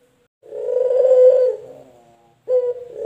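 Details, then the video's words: Male collared dove (puter), from a comparison of local and white varieties, giving a long, buzzy, throbbing coo that swells and fades, with a fresh coo starting sharply after a short pause. "PERBEDAAN SUARA PUTER LOKAL JANTAN DAN PUTER PUTIH JANTAN"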